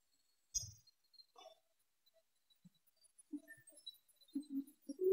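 Emerald dove giving soft, low, moaning coos in a short run of notes near the end. A sharp knock and a few faint rustles come before them.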